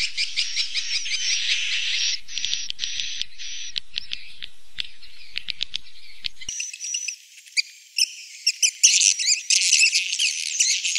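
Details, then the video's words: Swiftlet roosting lure for a three-storey house: buzzy high chatter, then a run of sharp clicks, and finally bright, dense twittering in quick bursts. "Suara Inap Walet"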